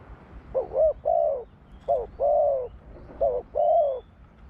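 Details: Spotted dove sings low, mellow coos in three phrases, each a short hooked note followed by a longer, slightly falling coo, repeated about every 1.3 seconds, with a faint high bird note in the background.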